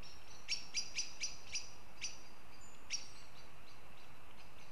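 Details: Northern goshawks recorded in Riga, Latvia, giving a quick run of five clipped, harsh notes followed by two spaced single notes, with faint thinner calls from other birds and steady low rumble behind.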